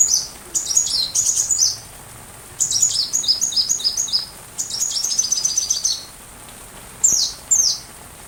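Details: Sunbird voice for white-rumped shama song training: short, rapid phrases of very high, sharp, stuttering chips, separated by pauses of about a second, ending with two isolated squeaky notes.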